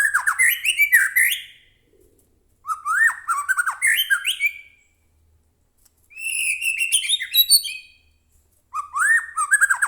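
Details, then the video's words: Lively White-rumped shama song used as a lure for captive birds: four separate bursts of rapid, varied whistles, upslurs and rasping notes, each lasting one to two seconds with short silences between. "murai batu gacor AMPUH buat pancingan murai batu agar bunyi JADIKAN burung murai gacor EMOSI NYAUT"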